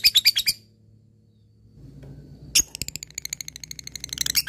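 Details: Fighter-type lovebird calling toward an opponent: a short harsh rattle, two seconds of quiet with low background hum, then a sharp chirp and a renewed rapid high chattering trill.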